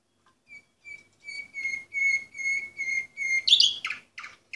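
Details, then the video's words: Orpheus breed canary, entry number 24 of 2014, singing a slow tour of clear whistled notes with steady pitch, repeated about twice per second, then a burst of harsher buzzy chirps. "canary orpheus 2014 number 24"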